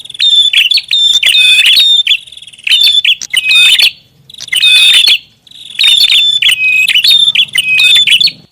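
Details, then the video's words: Busy prinia lure call. Long runs of crowded high chirps and piping whistles last one to two seconds each. Short silences break up the runs. "SUARA PIKAT BURUNG PRINJAK ATAS RIBUT"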